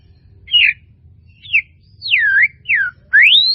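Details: Melodious murai batu song phrases: five loud, slurred whistles, some dropping and one sweeping sharply upward, separated by short gaps over a low hum.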